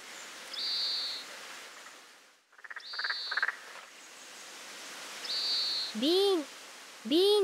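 Oriental greenfinch giving three drawn-out, nasal, buzzy 'beeen' calls at an even high pitch, about two seconds apart, with a narrator's voice near the end.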